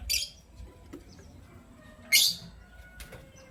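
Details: Lovebirds, a green Personata and a pastel white, heard in the morning: two loud, shrill, harsh chirps, one right at the start and another about two seconds later, with softer faint chirps between over a quiet background.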